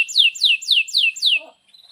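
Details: Canary singing, used to train young canaries: five sharp downslurred notes repeated about every quarter second, then a faint thin whistle.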